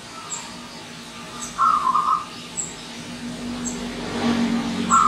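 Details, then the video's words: Wild zebra dove arriving as a visitor: two short trilled coo bursts, one mid-way and one at the end, over a low rumble of traffic and faint high chirps of other birds. "Kedatangan Tamu Perkutut Liar"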